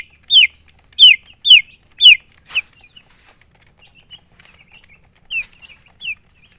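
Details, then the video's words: Chicks peeping: a few loud, sharply descending high peeps in a quick series near the start, then quieter scattered chirps and one soft rustle, with two more falling peeps near the end. "Chicks Chirping"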